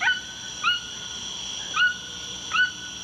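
A toucan gives four short, yelping notes that rise sharply then level off, a bit like a puppy's bark, spaced about a second apart.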